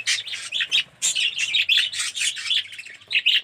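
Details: Several budgerigars, including red-eyed yellow ones, in a colony aviary, chirping and warbling in quick scratchy phrases that overlap, with one brief lull near the first second.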